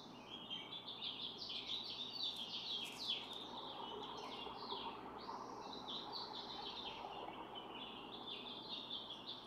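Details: Barn swallow at its nest holding four eggs, with the parents taking turns incubating since June 6th, filmed by a nest camera; rapid, scratchy twittering chatter runs throughout, with a broad low hum beneath.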